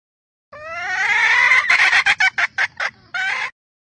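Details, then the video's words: Vietnamese jungle hen, red junglefowl, calling to rouse males: a sustained, rising, harmonic note, then a fast series of about seven brief, punchy clucks ending with one longer drawn note. Nothing else audible. "gà mái rừng kích trống 100%"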